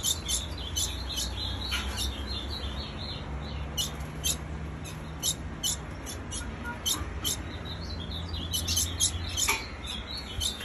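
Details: Female ultramarine grosbeak calling constantly: sharp high chips in loose clusters over ten seconds, a few quieter notes between, and low continuous hum.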